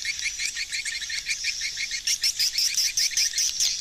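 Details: Hundreds of swiftlets flying and manoeuvring around a swiftlet house; a dense flock chorus of high chirps and twitters, growing louder and sharper in the second half with thin whistled notes.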